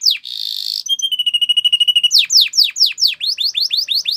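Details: Canary song for training in the Spanish Timbrado style: a harsh buzzy burst, a level pulsed trill of pure tones, then loud sweeping downslurred notes repeated about five per second.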